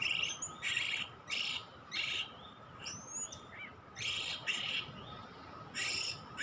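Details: Kacer, or Oriental magpie-robin, lure audio: harsh rasping bursts roughly every half second to second, interspersed with clear upward whistles and a short trill, over a faint hum.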